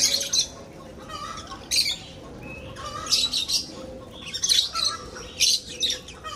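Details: Shrill, screechy squawks from lovebirds breeding in an aviary come in bursts roughly every second, over a faint steady low hum.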